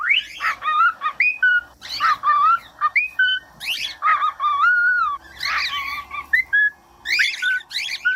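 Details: Singing cockatiel, used as a model for training chicks and quiet birds: busy mix of rising whistles, wavering tones and harsh, raspy chirps in rapid, irregular bursts.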